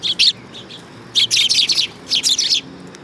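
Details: Sparrows gathering on a raised platform at a Tenmangu shrine in Japan on 3 September 2022. They give three bursts of bright, high chirps in quick clusters, separated by brief pauses.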